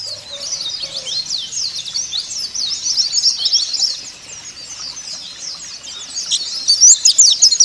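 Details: Caged white-eyes are prompted to sing with this white-eye song: a continuous high warbling chatter of thin sliding notes, louder in the first half and again at the close.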